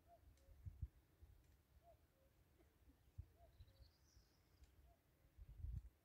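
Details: Distant cuckoo heard along the Castile canal on the walk from Castrojeriz to Frómista, having moved away. Faint two-note falling calls repeat about every one and a half seconds, four times, over low rumbling wind and footstep thumps.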